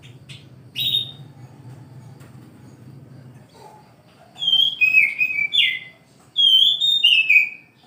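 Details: Oriental magpie-robin singing in the morning: after a quiet start with a low hum, a short high note, then clear whistled phrases sliding down from high to mid pitch in two bursts, sweet and slurred.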